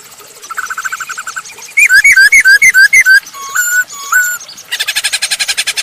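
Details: Masked laughingthrush in strong song, used as a lure for other birds; soft repeated notes, then loud wavy whistled phrases and two long flat whistles, ending in a rapid pulsing trill.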